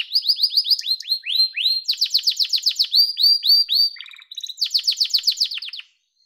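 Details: A yellow domestic canary sings a rapid series of rising whistled notes, a dense high trill, a brief low rattle and further fast sweeping phrases, ending abruptly in quiet.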